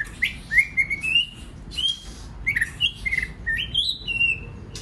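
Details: White-rumped shama song meant to trigger other birds to sing: short bursts of rising whistled notes and chips separated by brief gaps, with a longer sweeping whistle toward the end.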